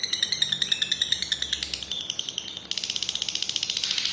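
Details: Lovebird ngekek song meant for training young lovebirds to trill long; high rapid chattering that softens and shifts midway, then resumes as a sharper, faster pulsing buzz.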